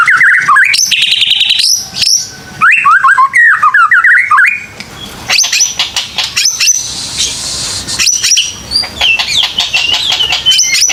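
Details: Lure song of a white-rumped shama, meant to stimulate young birds to sing: rapid varied phrases of slurred whistles, chattering bursts and high sharp notes, with brief pauses between phrases and a faint low hum.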